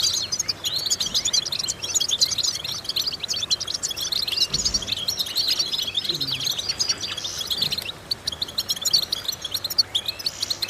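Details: Vocal exercise song of a goldfinch: continuous high twittering and chattering trills, with a couple of dull low thumps partway through.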